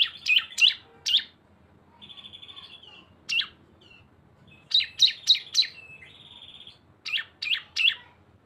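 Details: Cisem singing a combined two-bird lure: loud high chirps in fast triplets, interrupted by level buzzy trills lasting about a second, then further quick chirp bursts.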